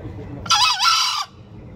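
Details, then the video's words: Green junglefowl crowing: a single harsh, rasping crow lasting under a second, with a brief dip in the middle, standing out over quiet background. "ayam hutan hijau berkokok"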